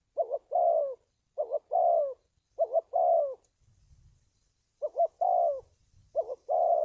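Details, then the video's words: Spotted dove calling, used as a trapping lure: repeated low coo phrases, each a short wavering double note then a drawn-out falling note, with a brief pause and a faint rustle midway. "tiếng chim cu gáy luyện mồi kích bổi,đi bẫy hiệu quả"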